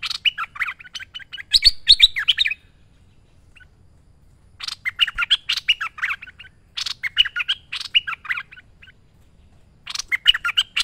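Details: Lively merbah lekir bulbul song for training birds: repeated phrases of rapid chattering and gurgling notes with harsh edges, delivered in four bursts separated by pauses of about two seconds.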